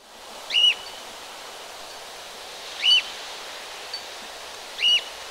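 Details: Free-flying Alexandrine parakeet in the Vilaine estuary, Morbihan, Brittany, on 17 November 2021, giving three loud, harsh screeching calls about two seconds apart over a steady rushing hiss like running water.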